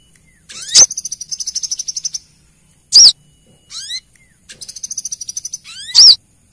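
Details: Brown-throated sunbird female calling a male, as a lure: two long rattled series of high ticking notes, each led by a loud arched chirp, with rising thin slurs between.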